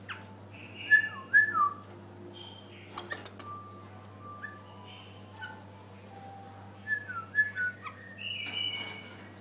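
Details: White-eared bulbul singing short clear whistled phrases, some slurred and descending, others steady, spaced by pauses, with a few sharp clicks and a constant low electrical hum behind.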